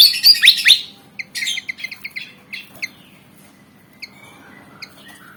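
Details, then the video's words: Black-and-white Javan fantail, about 19 cm, described as eager to fight: loud sharp downward-swept notes open, then a quick run of short high chips, and scattered thin chips fade out. "Burung Kipasan Jawa Ngotot Liat Pengen Tarung"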